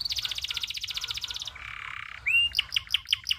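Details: Local canary tutor song with long rolling phrases: a rapid high pulsed trill, then a lower buzzy churr, followed by a rising whistled slur and a string of sharp, evenly spaced chipping notes.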